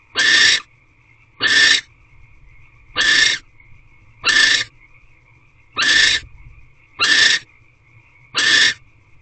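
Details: In an owl box at 12:40 pm on 21 March 2023, a male barn owl visits the female, whose calls hint at mating. Seven harsh, breathy screeches at fairly regular intervals over nine seconds, a faint high whine persisting throughout.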